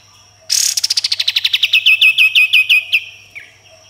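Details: Sooty-headed bulbul singing actively in a fast 'tembakan' style with rough 'besetan' notes: a rapid run of about twenty sharp notes sliding down from high to mid pitch over two and a half seconds, ending in one lower note.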